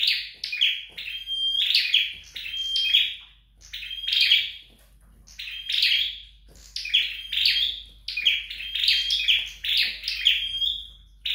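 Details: Flowerpecker sings during home training: a long run of buzzy, high-pitched chirping phrases with short flat whistles, delivered almost continuously with a couple of short gaps.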